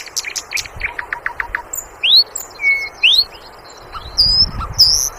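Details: Sikatan londo flycatcher singing clear whistled slurs, some rising steeply and others held level, spaced a second or so apart after a soft run of faint chirps, with a quiet rustle underneath.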